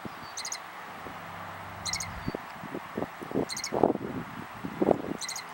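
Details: Loggerhead Shrike singing on 6 April 2013 at a Southwest Florida eagle nest cam, a shrike adept at dive-bombing the eaglet: short, high, buzzy phrases repeated every 1.5–2 seconds over louder low rustling and thumps.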